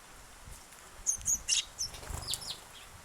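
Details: On 8 August, the day's first sparrow gives a run of thin, high chirps and short twittering notes, some rising and falling, with a soft low thump underneath.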